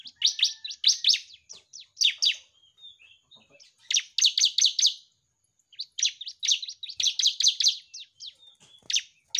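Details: Lively ciblek, the bar-winged prinia, in a training recording for silent cage birds: quick clusters of high, sharp chirps, some notes drawn into brief whistles, broken by irregular gaps and scattered softer ticks.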